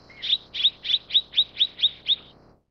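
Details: Eight evenly spaced, bright chirps from a Mrs. Gould's sunbird, roughly four per second, over a low background rumble.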